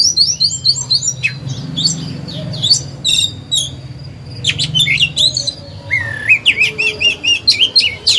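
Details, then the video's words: Oriental magpie-robin lure bird in captivity, singing to spur other birds into singing and to train young birds; rich, varied phrases of sweet whistles, rapid twittering and slurred notes, ending in a quick series of repeated chirps, with a low background hum. "Chòe than hót hay, luyện mồi, kích bổi, tập chim non"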